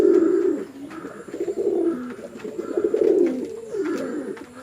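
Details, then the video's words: Male and female pigeons in a fight on a Bangladeshi house pigeon farm, Chittagong District: loud deep coos open, followed by rolling, wavering coos that rise and fall, with a faint higher hum in the background. "Awesome Male & Female Pigeon Combo Attacks Sound"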